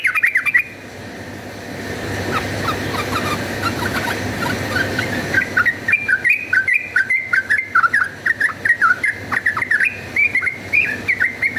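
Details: Yellow-vented bulbul fighting song used as a lure: a brief burst at the start, several seconds of soft hissing noise, then a long run of bubbly, chattering whistled notes rising and dipping in quick succession.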